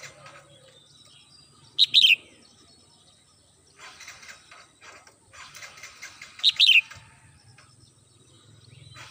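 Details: A Red-whiskered bulbul kept at home sings in the morning: two loud, sharp warbled phrases about five seconds apart, with rattling mechanical noise and low murmuring between them.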